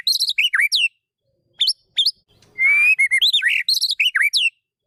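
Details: Magpie-robin song for training a bird that has gone quiet: sharp, high whistled chips in short groups, then a long rising whistle leading into a quick string of bright, twisting notes.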